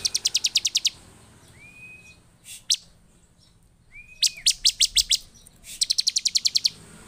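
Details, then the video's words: Bar-winged prinia, excited and agitated, singing to trigger other prinias: rapid bursts of high, metallic ticking notes, with thin upslurred whistles in the pauses between bursts. "Burung ciblek penuh EMOSI DAN GACOR efektif memancing ciblek lain cepat bunyi dan emosi"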